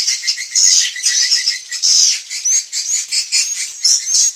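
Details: Swiftlets, a lure call for evening roosting: dense high-pitched chattering twitters in bursts of varying loudness, with thin rising whistled notes laid over the chorus.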